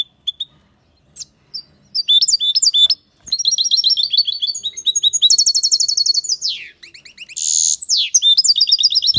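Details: Loudly singing European goldfinch: a few short chirps lead into sustained rapid twittering, buzzy passages and rolling trills of high repeated notes lasting several seconds.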